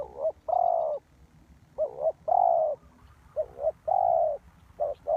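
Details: Spotted dove used as a decoy to lure wild doves for trapping, giving a clear, mellow cooing phrase: short double notes followed by a longer, steady, slightly wavering coo. The phrase repeats about four times with brief pauses, over a quiet low rumble.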